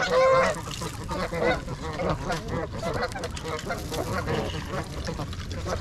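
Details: Wild trumpeter swans in winter, a flock of 42 (26 adults and 16 juveniles) on January 8 at Gallup Park, Ann Arbor, Michigan, recorded on a GoPro. One loud nasal honk opens, then a dense babble of overlapping flock calls.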